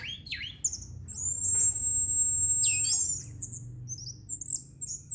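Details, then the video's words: Orange-headed thrush song: sharp downslurred chirps, a long even high-pitched whistle of about two seconds, then a quick dropping note and scattered twittering phrases. "Burung Anis merah teler santuy"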